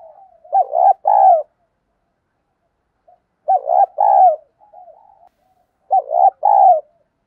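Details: Spotted dove cooing in the giọng thổ đồng field-voice style, used as a decoy to get new birds cooing. Three loud, throaty two-part phrases come roughly every two and a half seconds, with short soft murmurs between them.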